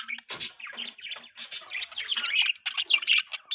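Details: Pet budgies in lively conversation, quick squeaky chirps and piping high notes rising and falling in short runs, almost without a break.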